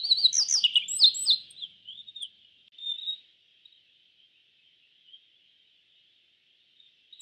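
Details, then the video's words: Yellow bunting: a rapid burst of bright, descending whistled chirps at the start, then a few softer notes and near silence, with a continuous high-pitched hiss throughout. "Suara Burung YELLOW BUNTING - YELLOW BUNTING Bird Sound"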